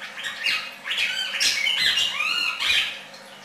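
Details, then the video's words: Red-crested cardinal singing: a run of loud, rich whistled and slurred phrases, some rising and some falling, tumbling together over about three seconds with brief gaps. "cardenal cantando copete rojo"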